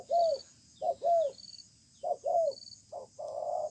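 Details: Wild spotted dove in a calling contest beneath a communal stilt house, a stubborn bird with a sparse, well-spaced song; low hooting coos in pairs, a short note then a longer arched one, ending on a flat, buzzy coo, with a faint high whine.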